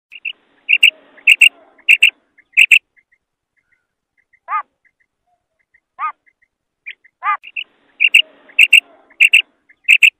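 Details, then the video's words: Female common quail calling: sharp, high clicking notes in quick pairs and short bursts, with a few softer, lower, drawn-out notes between them. "female quail call maadi batair ki awaz"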